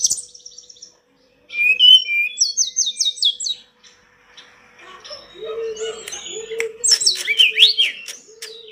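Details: Sunda robin singing energetically: rapid repeated high whistled notes, a series of quick slurred figures, then a busy, jumbled warble over a lower steady whistled tone.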